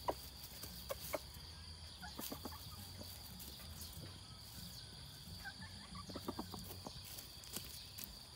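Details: One-year-old hybrid red junglefowl of the white-earlobe type giving soft, short clucks in scattered bursts over a steady background hum and hiss.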